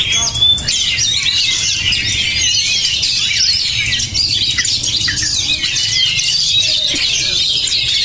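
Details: Energetic Oriental magpie-robin, called promising and strong-nerved, pouring out unbroken high, scratchy warbling full of quick chirps and short whistles, hardly pausing over eight seconds.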